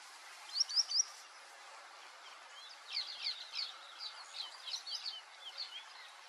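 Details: White-faced whistling duck opening with a crisp three-note whistle, followed after a pause by a long series of softer, descending slurred whistles from several birds, steady hiss behind.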